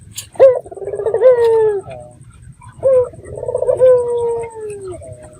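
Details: Red-eyed dove lure call meant to draw replies from other doves, two phrases of a rapid rolling burr that settles into a drawn-out, slightly falling hollow coo, over a faint low hum.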